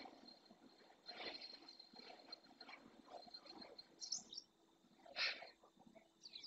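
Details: Eurasian magpies in the marsh of Doñana National Park, Spain, seen in small flocks feeding on invertebrates. Two or three harsh, noisy bursts stand out, the loudest near the end, over a steady background hum and faint distant bird notes.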